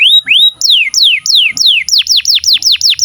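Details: Canary song meant for training juvenile canaries and silent birds: a few upslurred whistles, then a run of clear down-sweeping notes that quicken into tight, rapid repeated syllables.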